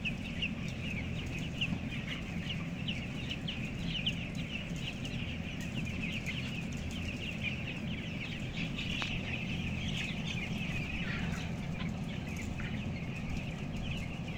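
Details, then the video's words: Indoor flock of 11,000 broiler chicks aged 14 days and weighing 525 grams, upper floor of a closed house; rapid high chirps pour out continuously across the whole stretch, over heavy low-pitched ventilation-like noise. "Ayam Broiler umur 14 hari"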